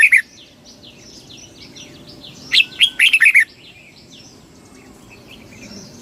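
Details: A single loud, fast phrase of bubbling, slurred notes from a red-whiskered bulbul in kích bổi style, surrounded by soft, scattered chirps of other small birds.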